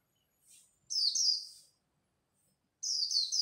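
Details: White-eye singing in the rapid twittering líu style at dawn, competing with other birds: two high, thin, trilled bursts, the second starting after a short silence and cut off at the end.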